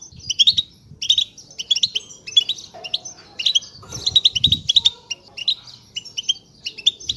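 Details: European goldfinch chatter for coaxing quiet goldfinches to sing: bright, clipped tinkling phrases and short trills repeated in lively bursts, with soft low knocks and rustling beneath and a brief whistled tone midway.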